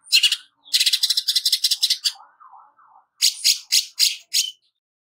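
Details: Greater green leafbird in harsh rapid song for training: a long rattling run of scratchy notes, a soft low warble, then a short series of harsh clipped notes.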